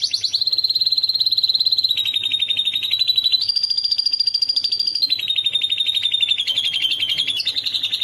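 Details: Canary singing to train a lovebird to mimic it: long, rapid, buzzy trills held at one pitch, stepping up, then dropping, then sliding back, continuous for eight seconds with a thin high whistle above.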